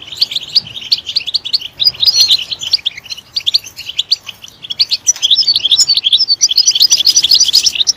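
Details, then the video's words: Goldfinch song, European, delivered as quick bursts of sharp, high chirps and sweet trills, quieter at first and then swelling into a louder, busier twitter. "Stimulating a goldfinch clip to make it chirp in a loud and wonderful voice"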